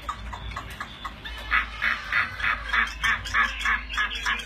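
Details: Chinese hwamei during a fighting display: a steady string of harsh, broad, rasping chatter notes, about three per second, loud and evenly spaced, over a low hum.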